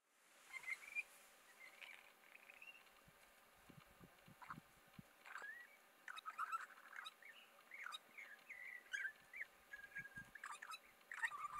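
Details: Spiny-cheeked honeyeater (Acanthagenys rufogularis) in the Mallee at Patchewollock, Victoria, gives a jumble of bubbling, gurgling notes and sharp clicks, with short rising and falling mid-pitched phrases against a quiet rural background.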